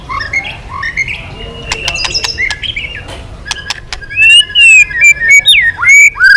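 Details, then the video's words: A white-rumped shama is provoked into intense, varied singing with tail flicking. Soft clicks and faint notes give way to loud clear whistles that slide up and down in quick phrases. "Chòe Lửa kéo dây yến đảo giọng đập đuôi liên tục. kích Chòe Lửa hót căng"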